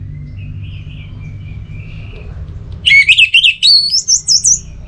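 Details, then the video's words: Orange-headed thrush song: a quick, warbling phrase of high whistled notes that rises in pitch toward the end, following a soft, faint twittering and a steady low rumble. "Obat Gacor Burung ANIS MERAH Buat Burung Yang Lagi Malas Bunyi"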